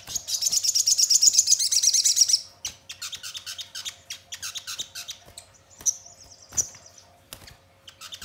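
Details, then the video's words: Crimson sunbird singing as a lure to prompt birds to sing and reply: a loud, rapid, buzzy high trill for over two seconds, then scattered short chirps, sharp clicks and thin, high whistled notes. A steady faint hum runs underneath. "Pancingan Sogon Bahan Agar Cepat Bunyi Gacor dan Langsung Respon Nyaut"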